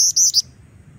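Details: Female Black-winged Flycatcher-shrike, in vigorous song and used as a lure for training young birds, gives a quick burst of three thin, very high squeaky notes, then falls silent over a faint low hum.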